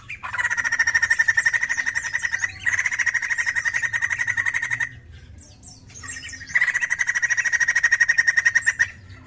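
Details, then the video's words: White-crested laughingthrush giving three bursts of loud, harsh, rapidly pulsed chattering, each lasting two to three seconds, with brief pauses between. "BUNYI POKSAY JAMBUL GACOR"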